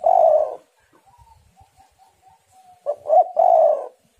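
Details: Female spotted dove in breeding condition, used as a lure for males: a long coo fades into a row of soft, short, level notes, then a loud stuttering coo phrase with a drawn-out ending.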